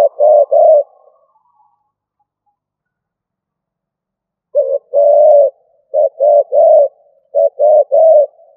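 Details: Decoy spotted dove cooing in the stuttering 'cà lăm' style. A group of three low hollow coos is followed by a silence of nearly four seconds, then broken runs of two- and three-note coos.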